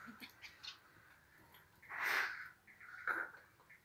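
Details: A male white-crested society finch, kept for its long, thin, loud song, gives two short, harsh, scratchy bursts about a second apart during courtship, with faint thin chips before them in a quiet room.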